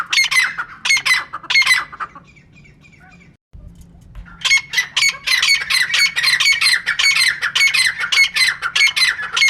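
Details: Female francolin: a few rasping squawks, a short silent gap, then a long steady run of harsh repeated notes about twice a second.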